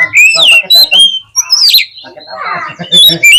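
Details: Oriental magpie-robin song used to stir a lazy bird into tail-spreading and fighting: loud, sharp, rising whistles open and close the passage, with a rougher, noisy stretch in the middle.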